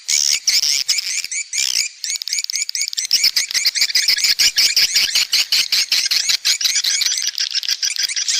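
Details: Swiftlets, cave- and cliff-nesting birds harvested for saliva nests, producing fast repeated sharp chirps that form a rattling twittering chorus, rhythmic pulses several per second.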